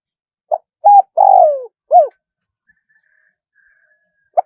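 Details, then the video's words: Spotted dove in wild 'khan 1 kuk' crowing style: a short coo, a flat note, a long drawn note falling in pitch, then another short falling coo; after a pause of over two seconds a single coo returns. Clean, quiet background. "เสียงนกเขาใหญ่ ขันสด คารมป่า100 ขัน 1 กุกเพราะๆ"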